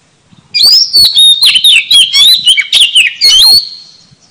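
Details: Oriental magpie-robin singing as a trapping lure, a rich fast run of whistled, slurred notes and sharp chips packed together for about three seconds, then fading.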